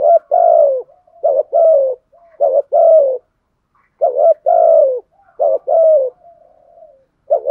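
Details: Spotted dove lure bird giving 'thúc gù' driving coos mixed with 'gáy gọi' calling coos: pairs of short clipped notes, each pair followed by a longer, mellow, falling coo, repeated in steady phrases with brief silent gaps.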